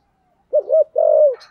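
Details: Single phrase from a spotted dove singing 'giọng thổ': a short double coo followed by a long, even, drawn-out low coo, ending with a faint higher rasp.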